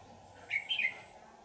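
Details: Red-whiskered bulbul during trapping, later freed; a single lively warbled phrase of quick rising and falling whistled notes, under a second long, over low background hum.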